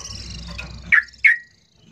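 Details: Sooty-headed bulbul lure call meant to draw a quick response: two short bubbly "cuk" notes about a third of a second apart follow a faint low murmur, then silence.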